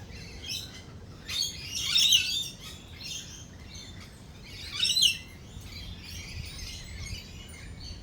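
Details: During a storm with rolling thunder and lightning, lorikeets give two loud bursts of harsh, shrill screeching about three seconds apart, with quieter chatter between and a low rumble beneath.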